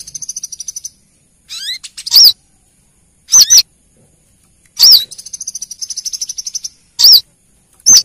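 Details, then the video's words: A female brown-throated sunbird calling the male, used as a lure: long fast high trills alternate with loud sharp double chevron notes and a few rising buzzy sweeps. "Suara pancingan kolibri kelapa betina memanggil jantan"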